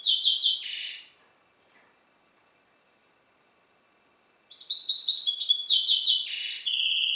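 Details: Hybrid goldfinch kept by a breeder, singing a Balkan goldfinch (C. c. balcanica) style song: a short burst of high twitters, about three seconds of silence, then a second rich phrase of rapid chattering notes ending in a level whistle.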